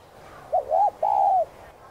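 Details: Single hạp bổi-style phrase from a spotted dove, meant for caged doves to hear: short note, rounded second note, and a sustained mellow coo tapering downward, with quiet surroundings.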